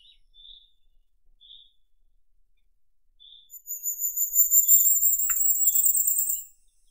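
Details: Firecrest singing one fast, very high-pitched run of closely repeated thin notes lasting about three seconds, after scattered faint, lower chirps and a single click.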